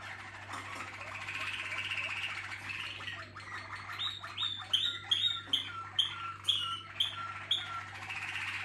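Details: Waterslager canary of a contest team gives a smooth rolling trill, then a series of sharp, clipped whistled notes repeated roughly twice a second; low hum in the background.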